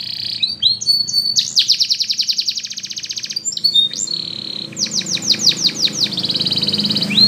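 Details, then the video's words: Russian canary performing training song; whistled notes lead into a long fast trill, then a series of steeply falling strokes and a steady high whistle, with a low hum behind. "RUSSIAN Canary Flute Singing !! Best Canary Training"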